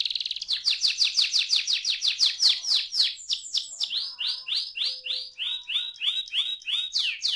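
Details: Young canary song built from a rapid run of bright chirps that slows into spaced, downward-sweeping whistled notes, each phrase repeated many times in quick succession.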